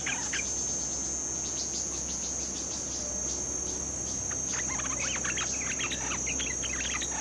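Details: Bulbul, a newly caught bird in training, giving short chirpy notes, sparse at first and then a rapid busy run of clipped chips, over a constant high insect drone.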